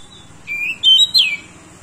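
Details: Pied bushchat of the endemic Nusa Tenggara form, described as very vocal with a song filled with learned phrases: two or three loud, clear whistled phrases, the last slurring downward, over a quiet low hum.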